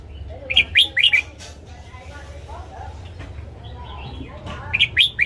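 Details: Red-whiskered bulbul morning song used for training caged birds. Two bursts of bright, slurred whistled notes, three or four quick phrases each, open and close the stretch, with a quiet low hum between.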